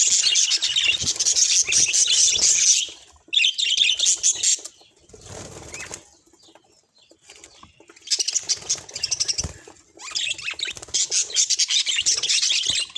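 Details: Bursts of high budgerigar warbling and chirping broken by a quiet gap of a few seconds with soft rustling, then the chatter returns in dense spells.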